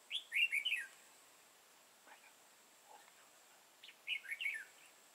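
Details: Red-whiskered bulbul with a dark bib, trapped on 31 March 2018, delivers a loud, lively warbled phrase of tumbling notes, then quieter scattered sounds, then another bright phrase near the end.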